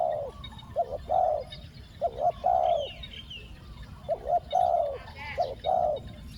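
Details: Clear spotted dove coos in the two-word 'ku-ang' style used for luring wild doves: short paired notes followed by long rich falling coos, repeated in overlapping phrases, with faint higher chirps from another bird.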